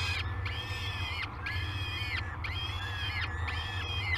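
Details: Nestling peregrine falcons waking for a morning feed at Great Spirit Bluff on 22 May 2020, caught by a live nest cam; long, rising-then-level harmonic wails repeated roughly once a second above constant low background rumble.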